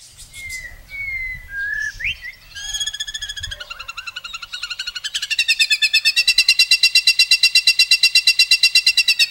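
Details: White-rumped shama song of the rich, long-burst murai style: thin slurred whistles and a rising sweep, then a fast even trill that speeds up into a loud, steady rattling run to the end, over faint low rumble.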